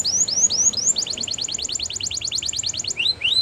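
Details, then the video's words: A Russian canary sings a flute-style training song: clear upward-sliding whistles, then a fast, bright trill of about a dozen notes a second, then a return to rising whistles. "Russian Canary Flute Singing"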